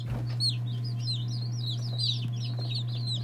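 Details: Day-old chicks of mixed breeds such as Orpingtons, Marans, Silkies, Seramas, Legbars and Faverolles give a chorus of overlapping high, arched peeps, fairly soft, above a constant low electrical hum.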